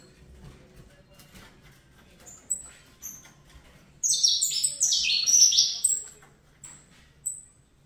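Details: Quiet start with faint background rustle, then a short, intense burst of high, sliding Fibra-style song from a young captive-bred Saffron finch, followed by a few isolated thin whistles.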